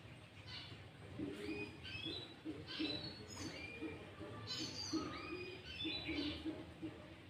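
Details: Sooty-headed bulbul song used to lure and provoke rival bulbuls: short rising whistled phrases of two or three notes, given in uneven bursts, over a faint low repeated thumping.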